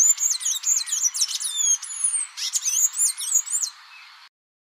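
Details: Blue-gray tanager of the Amazon singing a rapid jumble of high, squeaky, thin chirps and slurred whistles, closely packed for about four seconds, then falling silent.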